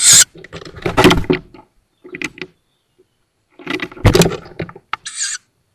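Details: Recently fledged tawny owl chicks at their woodland nest near Szokolya, Hungary, on 7 May 2022, caught by a nest cam: a rasping hiss opens and another closes the stretch, with bouts of rustling and scraping between.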